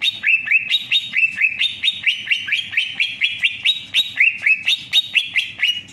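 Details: Greater green leafbird singing a fast, steady run of bright whistled notes, each a short upward-flicking slur, repeated a little over twice per second with no pauses and no other clear sounds.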